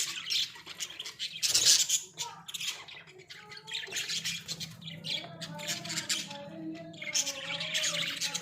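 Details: Pet Australian budgies in a small cage give squawky chatter and sharp high chirps, with a few lower tonal, almost speech-like warbles mixed in, over a low background hum.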